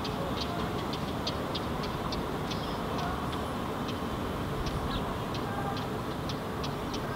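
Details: Northern wheatear fledgling on a rock slope in Helsinki, Finland, June 2016, watching its surroundings, running and foraging, gives short, dry ticking notes, two or three a second and unevenly spaced, over a steady low rumble of wind.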